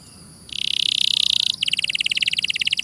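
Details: Canary song, a tutor recording with clear sound: a dense buzzy trill near four kilohertz, then a fast train of sharp repeated notes, all high-pitched with no background sounds.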